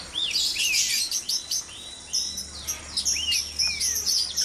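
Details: White-rumped shama at dawn inside a breeding cage: sweet arching and upslurred whistles, several short phrases repeated, over a busy background of very high thin chirps and a faint low hum.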